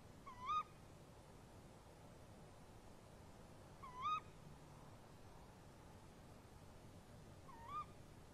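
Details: A male and female tawny owl converse at a nest box at 03:07 at night in March 2015. Three short, rising kewick calls sound at intervals of roughly three to four seconds, the last one softer.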